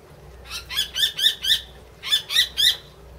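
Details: A captive common kestrel, rescued in Kichijoji in 2013 and kept at Tama Zoo, recorded April 2016, gives rapid shrill, harsh kee-kee notes, about four per second, in bursts of five and three, over a quiet low hum.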